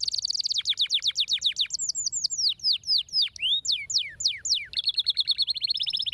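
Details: Stimulating canary song for quiet birds: a fast rolling trill gives way to spaced downslurred whistles, some rising, ending in another rapid trill; high, sweet and continuous.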